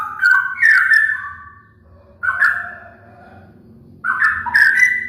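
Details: Straw-headed bulbul giving three short bursts of mellow, liquid whistled song, each a quick run of rising and falling notes separated by pauses over a steady low background hum.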